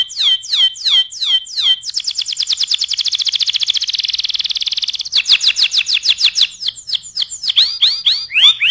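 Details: Canary song used as tutoring material for other birds: loud sweeping downslurred notes, then a long rapid buzzy trill, then choppy rolls and upward-curving whistles, all high-pitched and clean.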